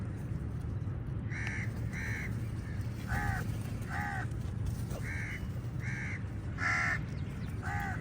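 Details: Crows fighting with eagles over food, a flock calling: harsh, nasal caws repeated roughly every half second to second, some in quick pairs, over a steady low rumble of background noise.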